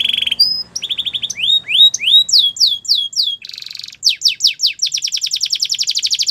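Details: Varied Russian canary song: a low buzzy roll, climbing slurred notes, a run of loud descending whistles, a short buzz, then a fast, even trill of rising chips.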